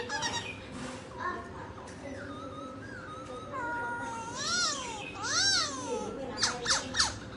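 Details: Laughingthrush singing while dancing: scattered clear whistles, then loud arched notes that rise and fall, followed by a burst of sharp, high, quick notes over steady low background noise.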